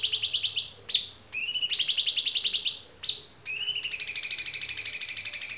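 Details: White-rumped shama training song with tembakan-style phrases: high, rapid trills in bursts of about a second, separated by sharp downslurred whistles and brief pauses, ending in a long fast rattling trill.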